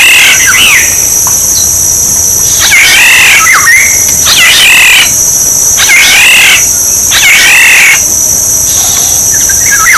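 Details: Black-naped oriole song of the sort played as a bird decoy: a series of liquid, warbling whistled phrases, each roughly a second long with short pauses between, over a constant shrill buzz.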